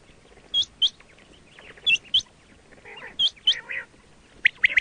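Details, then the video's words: Quail call used for hunting, known locally as batair. Sharp, high notes come in quick pairs every second or so, with a few lower, nasal, duck-like notes between them against a quiet background. "quail 2024 Fresh sound Batair Ki awaz"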